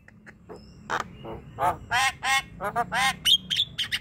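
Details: Javan myna producing raspy, nasal squawks and chattering notes at an uneven pace, ending in short thin whistles, from a recording meant to set a sluggish myna singing.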